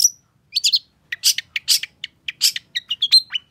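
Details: Long-tailed shrike singing fast and excitedly to stimulate a bird that has stopped singing: a thin whistle, then quick scratchy chattering notes and short whistled slurs in rapid succession.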